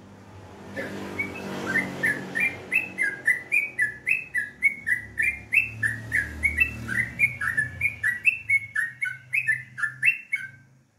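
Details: In the morning a sooty-headed bulbul delivers a long, rapid series of liquid, up-and-down whistled notes, steady at about three or four per second, over a faint low background hum.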